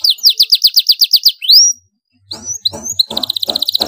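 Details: Domestic canary singing a loud master-tutor song: a run of about nine swooping chirps, a rising whistle, a brief pause, then scattered notes and a fast high trill, with some low background clatter.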